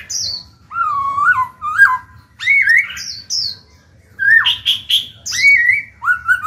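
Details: Black-throated laughingthrush in captivity, song used to stimulate other birds: high thin slurred whistles alternating with lower rich wavering phrases and a few harsh buzzy bursts, delivered in groups with brief gaps.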